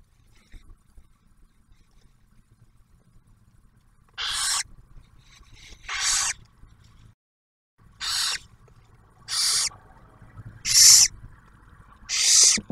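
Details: Barn owls at a nest box camera at Ottawa National Wildlife Refuge near Oak Harbor, Ohio, in 2023, as the male delivers food and the female shares a meal with the first hatched owlet; six harsh, hissing screeches about every 1.5 seconds.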